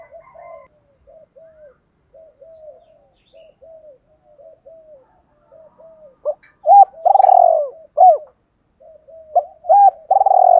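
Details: Spotted dove calling to provoke wild birds into answering. A long run of soft, short coos, then loud bursts: sharp arched notes and rolling, throbbing coos near the end.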